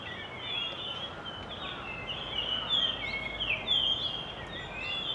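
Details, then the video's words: Japanese grosbeak song from a resident flock: several birds give overlapping whistled, slurred notes, some rising and falling sharply, over constant hiss. "イカルのさえずり A song of Japanese Grosbeak"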